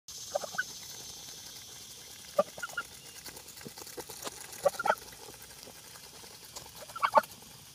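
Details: Geese eating breakfast of mixed-flock feed, giving short, scattered nasal honks a few seconds apart, some doubled, over a steady high buzzing of cicadas in the background.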